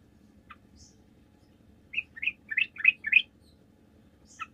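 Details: Sooty-headed bulbul singing in a lively lure recording meant to make other bulbuls answer. A short burst of five bubbly, rising-and-falling chirps closes together near the middle, with a faint note before and after.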